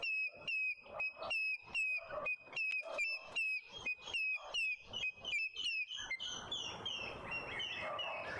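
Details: Male African grey hornbill in a Pretoria suburban garden, South Africa, giving high whistled piping notes in a quickening series of short falling whistles; the last seconds turn to broad rustling noise as the notes continue faintly.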